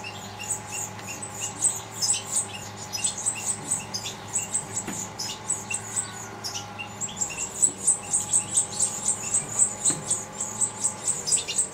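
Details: Goldfinch brood being fed by the female: rapid, very high chirping, about four notes a second, uneven and continuous throughout, over a faint constant hum.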